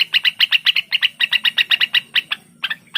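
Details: {'caption': 'Lesser green leafbird (cucak wilis) song meant to set other captive leafbirds singing: a fast, even run of sharp, high chirped notes, about six a second, briefly pausing, then a few softer closing notes over a faint low hum.'}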